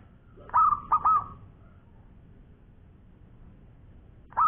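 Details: Local zebra dove, a strong long-voiced singer, giving a quick burst of short, bright cooing notes that bend upward, then one more note near the end, over a low steady background hum.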